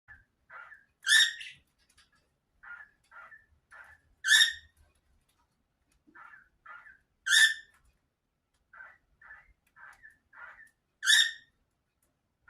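A cockatiel sings, mixing soft warbled chirps with loud, harsh rising whistles about every three seconds.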